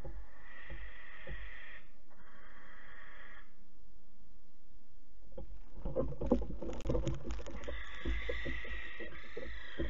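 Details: Roughly 12-week-old barn owl young at Alphen on the night of 8 August 2019, 23:33, chased away as the adults take back the nest box; two hissing screeches in succession, then clattering knocks and a further drawn-out hiss.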